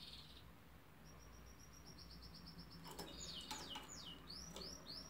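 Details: Canary song, fairly faint: a thin high trill held for about two seconds, then a burst of quick swooping whistles and curved notes over a low background hum.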